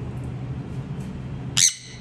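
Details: A cockatiel, among parrots playing together, gives a single brief, harsh screech over a low indoor hum.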